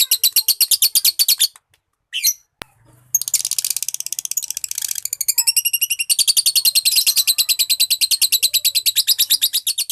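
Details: Lovebird in training to sing the long chattering 'ngekek' song: fast, dense bursts of shrill, scratchy notes pour out in rapid rhythmic pulses, break off briefly after about a second and a half, then resume in a long unbroken chatter.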